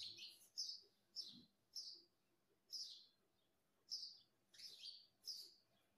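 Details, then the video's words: A talking parrot repeats sharp, high chirps roughly every half second to second, fairly steady, against a faint low background hum. "Natural Parrot Sound ❤️ talking Parrot mummy papa"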